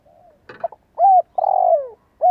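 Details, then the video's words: Spotted dove decoy bird cooing to stimulate young birds: a faint low note and a brief rustle, quick soft notes, a rounded coo, a long buzzy sliding-down phrase, and a final rounded coo. "Tiếng chim cu gáy mồi cây giọng hay hạp bổi - Chim nghe là gáy. Mở lên chim non nghe nhanh gáy."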